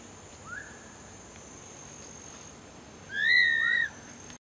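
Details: A Southern cassowary chick at Cassowary House, filmed in 2011, gives a faint, slightly rising whistle, then a louder, drawn-out, wavering peep lasting nearly a second, over a soft rural background hiss.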